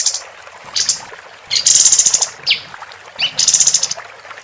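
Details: Lively singing from a female capped white-eye, used as a master recording for training competition birds: high, sharp chattering bursts with a fast buzzy trill, separated by short pauses, plus quick downward-sweeping notes.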